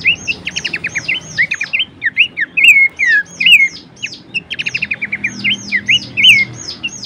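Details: Horsfield's babbler song used as a training and lure recording for songbirds: rapid bursts of short stacked chips alternating with looping, slurred whistles that dip and rise, the sequence repeated twice, over a faint low hum.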